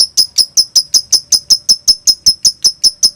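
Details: Lovebird konslet master recording for provoking other lovebirds: crisp, sharply clipped high ticks repeated steadily about five times a second, very even and mechanical in rhythm.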